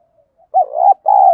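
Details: Spotted dove lure song meant to provoke rivals into fighting: a short wavering coo leads into a swelling hollow note, then a long, level mellow coo after a brief pause. The recording is otherwise clean and quiet.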